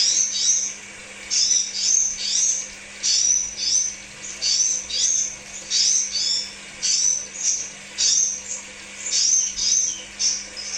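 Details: Crimson sunbird song in a lure recording for kept birds: short, very high twittering phrases repeated about every second, each a quick jumble of thin chirps, with brief pauses between phrases and a low hum behind.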